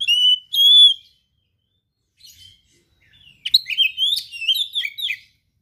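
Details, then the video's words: Kacer, or oriental magpie-robin, in energetic song filled with rare material: two loud, clear whistles with overtones, a pause, then a fast tumbling string of high twittering and warbled notes. "KACER GACOR SPECIAL FULL ISIAN MATERI LANGKA GURU TERBAIK"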